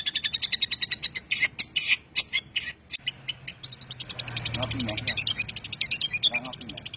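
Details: Long-tailed shrike in tembakan-style training song, delivering a rapid, regular series of short, high, buzzy notes like a rattling chatter. Sharper whistled accents break in around the second and third seconds.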